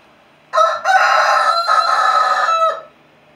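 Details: A young Brahma rooster, crowing and talking to his hens, gives one drawn-out crow of about two seconds, hoarse and slightly broken, with a brief catch near the start and a dropping tail.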